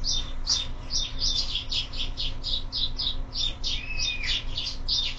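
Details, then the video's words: Morning chatter of sparrows at a feeder fixed to a window: dense, continuous chirping, notes crowding one another, one longer drawn-out call near the end, low steady hum in the background. "Воробьи в кормушке - утро"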